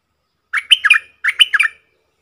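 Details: Aggressive wild red-whiskered bulbul chattering at a caged decoy before leaving: twin phrases of lively, slurred notes, each burst roughly half a second, with a brief gap between.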